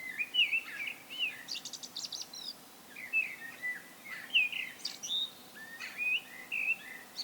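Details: Solo song of a common blackbird, a rich series of fluty whistled phrases, some dipping and rising, mixed with brief scratchy high chatter between phrases, repeated steadily throughout against a faint hiss.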